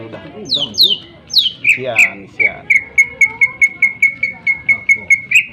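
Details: Sharp-voiced greater green leafbird singing to provoke rival birds: several steeply falling whistles and harsh notes open a long run of clipped, evenly spaced chips repeated about three times a second.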